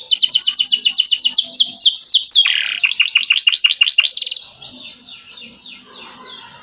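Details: Canary singing as training song: a fast string of loud sweeping whistles, a short harsh buzz, clipped rapid notes, then a quieter high continuous trill fading out.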